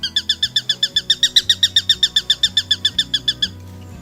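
Eurasian Sparrowhawk giving a fast, even chatter of sharp kek notes, about six per second for over three seconds, over soft background music.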